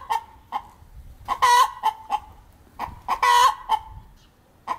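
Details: Cackling of a hen up in an apple tree, announcing a freshly laid egg; spaced single clucks build into loud, ringing, stretched squawks, twice in the sequence, then quieter clucks resume.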